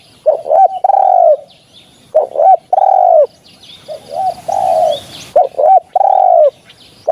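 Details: Spotted dove calling, recorded for use as a lure in hunting: deep, hollow cooing phrases of two or three short notes followed by a longer drawn-out coo, repeated in bursts about every two seconds, with faint background hiss.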